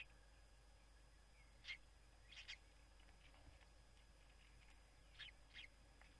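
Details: First common kestrel chick in a nest box at a water tower in Scheveningen, Netherlands, in spring: a few thin, high squeaks, in pairs roughly three seconds apart, faint over a low steady hum.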